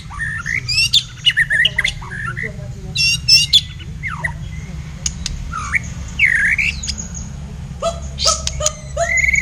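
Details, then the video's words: Song duel between a blacktail white-rumped shama and a kapas tembak, used for training other birds' songs; bright slurred whistles, scratchy chatters and sharp clicks in irregular fast bursts, with a low background hum. "Duel MAHADEWA Murai Batu Blacktail VS Kapas Tembak Untuk Masteran"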